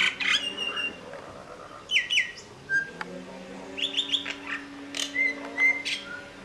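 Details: Common myna calling at Vryheid, KwaZulu-Natal, South Africa, on 12 December 2007: a varied series of loud whistles, harsh chatters and clicking notes at irregular intervals, with a low background hum.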